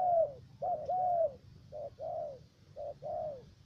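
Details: Trapping decoy spotted dove from Khanh Hoa commune, U Minh, Ca Mau, Vietnam, a three-note caller. One long falling coo, then paired coos in which a short clipped note leads into a longer curved note.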